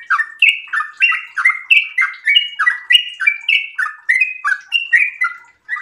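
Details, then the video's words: Sooty-headed bulbul in breeding condition giving an extended rapid 'ropel' song, used as a lure and tutor recording: fast chattering run of short liquid whistled notes, about three per second, alternating rising and falling pitches without pause. "trucukan gacor birahi ropel super panjang"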